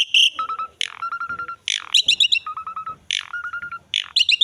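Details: Asian pied starling song, a lure and training recording for young starlings: harsh broadband squawks alternating with steady low whistled notes and rapid chattering trills, phrases repeating about every second.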